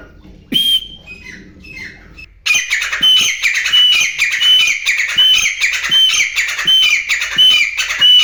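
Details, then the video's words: Calls of wild grey francolin: after one opening note and a pause, a steady series of loud, scratchy, ringing calls, each topped by a brief high whistle, repeated at a brisk, fairly regular pace. "گورے تیتر کی آواز"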